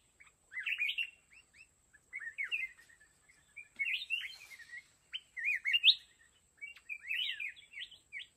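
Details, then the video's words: Red-whiskered bulbul serving as a decoy in a bulbul fighting trap: clear, lively warbled phrases of rapid up-and-down whistled notes, repeated in groups with short pauses, over a faint high-pitched hum. "Chào mào núi bẫy đấu"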